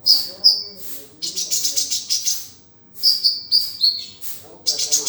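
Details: Sunbird singing for training other kept songbirds, with sharp high-pitched tweets and rapid twittering runs that come in bursts and then pause before the next phrase.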